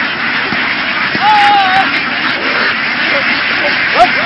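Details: Vietnamese laying ducks, a flock herded across fields and onto a boat, with a drawn-out flat nasal call followed by scattered short quacks within a steady, noisy background chorus.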